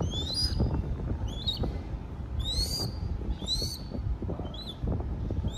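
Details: Crested goshawk chick being fed by hand in Cambodia gives thin, high, upslurred whistles, one or two every second or so, over a steady low rumble and handling noise.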